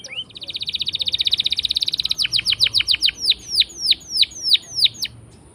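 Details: Rolling canary song meant as a lure for silent canaries, opening with a long fast even trill that slows into spaced, sweeping downslurred whistles.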